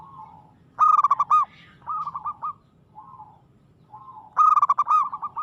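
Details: Aggressive local zebra dove: two loud stuttering coo bursts, each followed by softer quick runs of notes, with a faint low hum behind.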